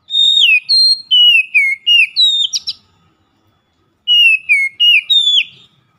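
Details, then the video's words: Loud daily ngeplong lure song of an Oriental magpie-robin: a string of ringing whistles, each sliding downward, ending in a buzzy flourish, a pause of a second, then four more descending whistles. "PANCINGAN HARIAN KACER NGEPLONG GACOR SUARA KERAS"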